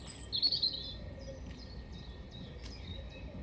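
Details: European robin singing at Hengelo on 5 May 2018: a thin, high warbled phrase in the first second, then fainter scattered notes over a steady low background rumble.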